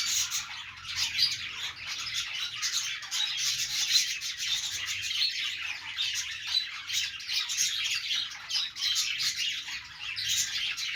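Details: Budgerigars kept as pets chatter while playing: a steady, busy blend of high chirps, raspy squawks and warbled notes that never stops, with brief louder bursts.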